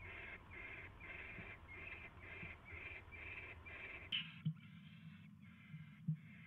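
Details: Barn owl at a nest late at night, 22 January 2016, when a mouse is delivered; a steady run of short, raspy hiss bursts about twice a second, then a sudden change to louder, longer wheezes with clicks.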